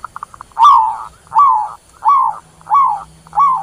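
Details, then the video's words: Zebra dove calling the flock, opening with a few quick staccato pips, then five soft, rounded coos that swell and dip, evenly repeated about every seventy hundredths of a second, with nothing else audible. "Tiếng chim Cu Vằn Gọi Bầy"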